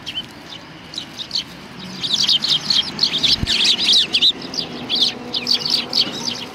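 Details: At a Tenmangu shrine on 25 November 2020, sparrows arriving to be fed give quick, high twittering chirps that build from sparse notes into continuous chatter of many birds, with one low thud.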